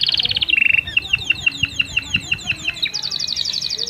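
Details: Canary song for stimulating hens to breed: quick trills, then a measured series of sweeping chirps, ending in a fast high rattling trill.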